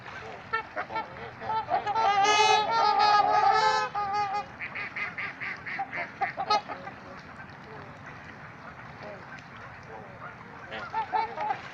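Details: Several trumpeter swans at Gallup Park in Ann Arbor, Michigan, break into a loud run of rapid, brassy honks that lasts about two seconds, then fall back to scattered quieter honks and fade.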